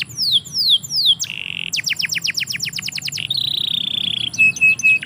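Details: Canary singing in a yard: descending whistled slurs, a buzzy sustained trill, a run of rapid rising-falling notes, then a long rattling trill and short repeated whistles.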